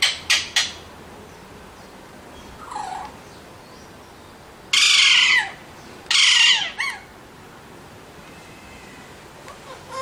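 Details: Loud, raspy screeches from Alexandrine parrots: a few clipped squawks at the start, a softer nasal note, then two long, harsh screams with quieter chatter between.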